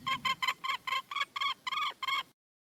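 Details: Wild red junglefowl hen calling to attract a male, giving about ten rough, nasal, drawn-out cackling notes in quick succession before the sound cuts off abruptly.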